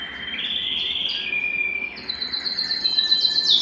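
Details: Canary at home singing in mating excitement: a bright rolling trill that steps down in pitch, then higher fast chattering and sharp rising notes grow louder toward the close.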